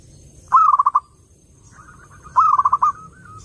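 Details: Zebra dove, clear song for luring doves: two loud stuttered phrases of about six rolling coos each, separated by nearly two seconds, with faint soft notes trailing the second phrase.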